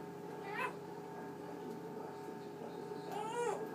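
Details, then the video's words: Male Eclectus parrot kept as a pet, talking at night before its cage is covered; two brief harmonic mimicked syllables, the second longer and falling, against a constant fridge hum in a quiet room. "my talking Eclectus Parrot"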